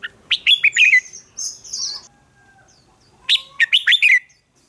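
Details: Red-whiskered bulbul performing contest song: two bursts of rapid, loud, rich whistled notes falling and rising, separated by thin higher slurred notes and a brief pause, background otherwise quiet.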